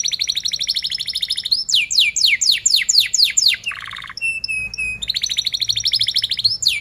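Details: Rolling canary song meant as a lure for young canaries learning to sing: a fast buzzy trill, a run of swooping down-slurred notes, a low rolled burst, clear steady whistles, then the trill resumes.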